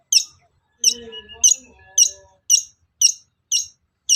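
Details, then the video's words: Long-tailed shrike sound played to spur other shrikes to sing and respond: sharp high harsh notes repeated about every 0.7 seconds, with faint low tonal sounds early on. "SUARA PANCINGAN BURUNG CENDET AGAR EMOSI & NYAUT GACOR"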